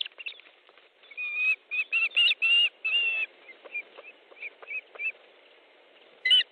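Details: Osprey calling at its Estonian nest around a fish delivery, midday on 14 July 2014: a burst of shrill, repeated whistled yelps, then softer scattered chirps and a final sharp call.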